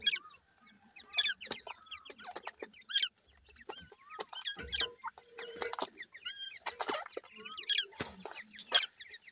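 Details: Fighting grey francolin chicks give short stacked chirps and slurred peeps in irregular clusters, mixed with sharp broadband clicks and scuffling bursts through the scrap.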